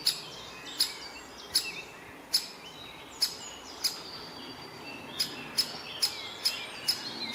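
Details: Great spotted woodpecker, the last fledgling left in the nest, with both parents nearby, giving sharp, high "kik" calls, spaced about a second apart at first, then quicker near the end, over a steady background hiss.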